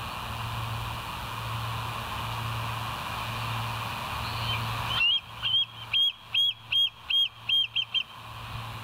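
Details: At the West End bald eagle site, morning of 28 August 2023, 07:02, via a live nature camera: after a stretch of hiss and low hum, a rapid series of about ten high, thin, squealing notes, slightly rising then falling.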